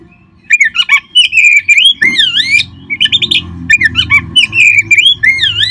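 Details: Dense, continuous song of an Oriental magpie-robin, used to stimulate caged birds: loud, rich whistles that dip and rise, with quick chattering notes between phrases and barely any pause.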